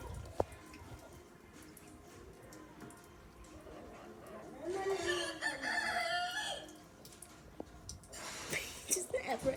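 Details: Rooster crowing once in the middle, a drawn-out harmonic call lasting about two seconds, heard over a noisy background with some voices.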